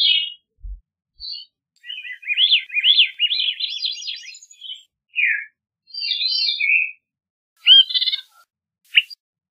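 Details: Veery (Catharus fuscescens) singing: a rippling phrase of rapid up-and-down whistled notes lasting about two seconds, then scattered short notes including a slurred downward one and brief buzzy bursts, against a quiet background.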